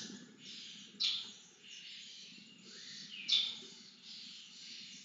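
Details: Lesser kestrels at a feeding, two loud piercing squeals standing out from softer, drawn-out hissing begging screeches, over faint low background noise.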